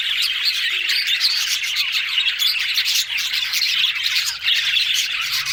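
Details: Many budgerigars chattering together, a dense, continuous warble of high chirps and scratchy notes with short bright whistles threaded through, steady in loudness throughout.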